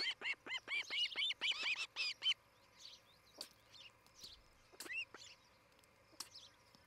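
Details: Ospreys at a nest in Charlo, Montana, a breeding pair filmed by a morning nest camera in 2018; a quick burst of bright, repeated chirping whistles for two seconds, then only scattered faint notes.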